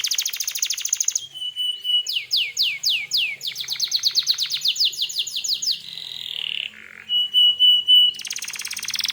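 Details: Gacor canary singing hard as a bait song to provoke other canaries into answering: a fast rolling trill, a flat whistled note, a run of descending swoops about three per second, then a quick rattle and another buzzy trill.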